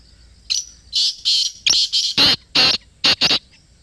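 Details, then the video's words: Black francolin, called kala teetar in Pakistan, heard near: a rapid run of about nine loud, harsh, scratchy notes, some long and some clipped, in an uneven rhythm over four seconds. "Kala Teetar Ki Awaaz | Khamosh Teetar Bhi Bol Utha! 🐦 | Black Partridge Voice"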